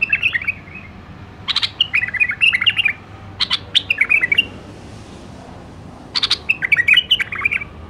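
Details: Iraqi nightingale, or white-eared bulbul, repeating three similar phrases, each opening with sharp clicks then a fast run of warbling whistled notes, spaced about two seconds apart.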